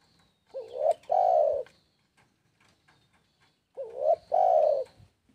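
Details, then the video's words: Spotted dove song repeated twice about three seconds apart, each phrase a short upward-swooping note, a quick break, then a drawn-out mellow coo. The setting is otherwise quiet. "SUARA BURUNG TEKUKUR PALING PASS ATASI VIRUS MACET BUNYI"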